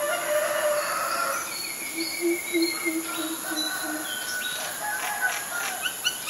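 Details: Greater coucal in Ubon Ratchathani, Thailand, recorded May 22, 2022: a series of deep, hollow hooting notes, about eight in a row, evenly spaced over two seconds, beneath busy higher-pitched songs and calls of other birds.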